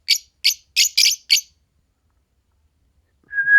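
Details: Green Fischer's lovebird pair: five sharp, high chirps in quick succession, silence, then a steady rising whistled tone at the end.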